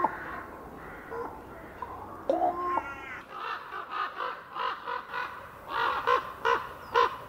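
Common raven giving a run of about eight harsh, hoarse croaks, roughly two per second, after a brief higher tonal note.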